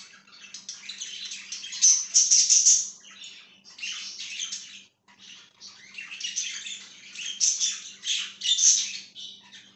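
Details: Budgie chirping in two long bursts of loud, scratchy high chatter separated by a short break, with a faint background hum.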